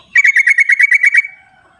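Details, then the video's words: Wild sooty-headed bulbul, recorded as a calling lure for birds that stay silent: a single quick rattling trill of about nine evenly spaced, slightly buzzy notes, fading into a soft tail, with a quiet background. "suara trucuk di alam liarnya buat panggilan trucuk yang tidak mau bunyi"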